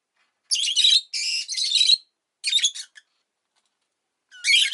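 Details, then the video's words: Shrill, grating chirp bursts from a rosy-faced lovebird, three rapid runs in the first three seconds, then a short silence before another scratchy outburst begins. "Lovebird Chirping Sounds"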